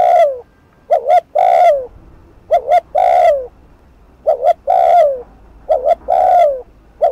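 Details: Spotted dove delivering rapid 'thúc gù' coos meant to trigger a rival bird: about six rhythmic phrases, each a quick double note and a longer sliding coo, with a faint low hum.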